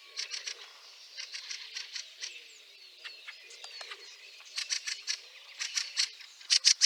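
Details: Snowy March scene in Liepāja, Latvia, 2023, with a Fieldfare uttering clipped, harsh chack notes in loose clusters, pauses between, ending with three loud close calls; a soft low murmur runs beneath.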